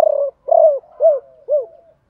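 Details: Spotted dove lure bird calling ba hậu to draw in wild birds: a pulsing opening coo followed by three drawn-out, downward-arching coos, each about half a second apart.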